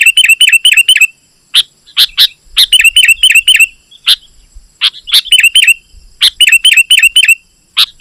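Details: Lively sooty-headed bulbul song for luring wild birds: rapid rows of clear whistled notes in rhythmic runs, broken by loud sharp clicks and chirps, almost no background noise.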